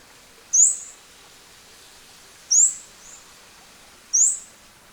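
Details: Scarlet-backed Flowerpecker in its natural habitat in tropical Asia, giving thin, very high rising notes, one every couple of seconds, with a fainter note between, over soft background hiss.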